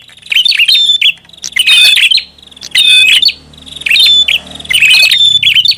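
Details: Prinia lure call, described as noisy: repeated bursts of rasping chirps and whistles about once per second over a low background hum.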